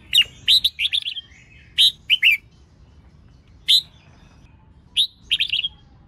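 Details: A female red-whiskered bulbul's stimulating song for males: a fast run of bright chirped whistles at the start, then spaced single notes and a brief closing flurry, with quiet between phrases.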